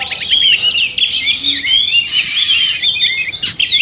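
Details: Chorus of a male and a female oriental magpie-robin, used to stimulate caged birds to sing: continuous bright warbling with fast whistled trills, brief squeaky notes and up-and-down slides, loud and unbroken throughout.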